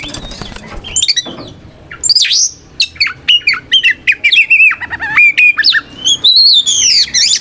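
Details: Kacer, a white-rumped shama, sings a combative song used to lure other shamas into replying; varied loud whistles swoop up and down, mixed with harsh squawky notes and rapid chips in irregular bursts.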